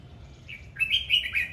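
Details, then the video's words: Red-whiskered bulbul in 'hót múa', singing while dancing: a single short phrase of bright rising and falling whistled notes, preceded by a soft lead-in note, over low background hum. "Chào mào hót múa"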